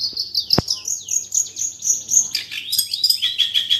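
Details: Cendet, the long-tailed shrike, singing energetic speed rapat roll tembak master material: a long high whistled trill with fluttering notes, one sharp click, then a shift to lower, faster, choppy phrases.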